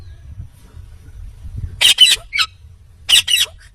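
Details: A talking Indian ringneck parakeet falls quiet, then gives two bursts of shrill, rasping double squawks about a second apart, with a soft low hum throughout.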